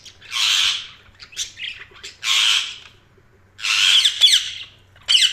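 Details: Budgerigar chirping in uneven bursts: long raspy chirps mixed with short clipped notes and a sharper trill near the end.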